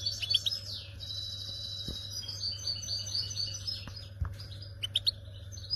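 A goldfinch sings a fast, tinkling twitter of high liquid trills and buzzy notes, with a steady low hum behind it.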